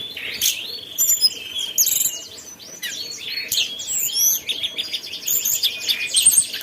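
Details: Mountain tailorbird in lively, energetic song: a dense run of high, thin whistled notes and quick sweeping chirps, tumbling continuously with short rising and falling phrases.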